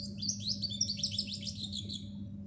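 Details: Chirping of a black sparrow, a fast twittering series of high, bright notes lasting about two seconds over a constant low electrical hum.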